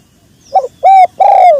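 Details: Spotted dove heard very close and loud, cooing in the sấm chuông style for luring males, females and wild birds: a short hoot, then two drawn coos, the last one longer and gently falling, somewhat overdriven.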